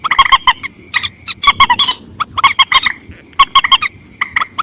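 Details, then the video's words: Rapid, irregular harsh honks and squawks from common moorhen, many notes overlapping in quick bursts over steady low background noise. "Water Bird Call Sounds Mandar Batu Gallinula Chloropus"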